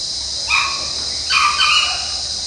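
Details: Sri Lanka junglefowl in the wild at Monaragala, Sri Lanka, giving two short, loud, harmonic calls, the second longer and more broken, over a steady high insect drone.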